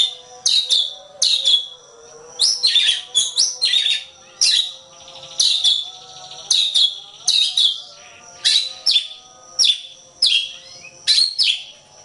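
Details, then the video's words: Oriental magpie-robin master recording for contest birds: rhythmic series of harsh, scratchy notes and short bursts, roughly twice a second, over a steady background hum. "Ocehan Suara Burung Kacer"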